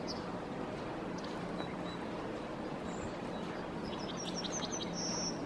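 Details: A Yellowhammer perched in a tree in Helsinki, Finland, in February 2022 sings a quick run of thin, high repeated notes ending in a longer drawn-out note, over steady wind or distant traffic noise.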